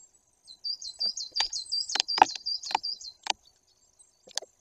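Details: Recorded 2 September 2022 in Bory Tucholskie, Poland, a great tit close to the camera gives a short string of fast, high, curling notes among repeated sharp knocks.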